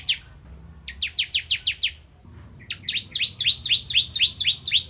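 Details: Bar-winged prinia (ciblek kristal) of rice-field areas, singing as tutor material for magpie-robins: a short run of high slurred notes, a pause, then a faster series of doubled, downward-sweeping chirps.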